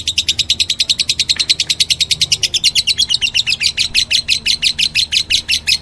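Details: Meloloh chatter from a lovebird: dense, rapid high chirps run together into a shrill, buzzy stream that becomes slightly slower and more separated toward the end.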